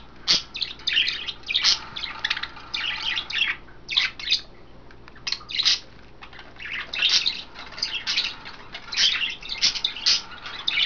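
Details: Caged pet budgies, five of them, the three females splashing about in wet veggies and a water dish: a nearly continuous stream of harsh chirps, rasps and squawks in uneven bursts, barely pausing throughout.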